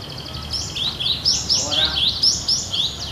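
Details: Cinereous tit giving 'gacor nagen' song like a wild bird: loud, rapid whistled phrases sliding down and back up, about eight in three seconds, with faint background chatter.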